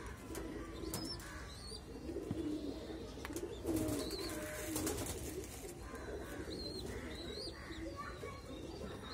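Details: A baby pigeon being hand-fed gives soft, wheezy squeaks and low burbling begging notes amid handling clicks.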